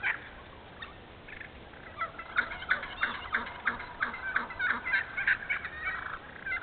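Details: Wild turkey in a logged, thinned hardwood stand in Moore County, North Carolina: a long series of rapid raspy yelps, roughly three a second, building in loudness and then tapering, with faint low notes beneath and steady background hiss.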